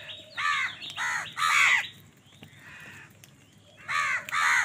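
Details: House crows quarrelling with other birds over food: three loud grating caws in quick succession, a quiet pause with a soft note, then two more harsh caws.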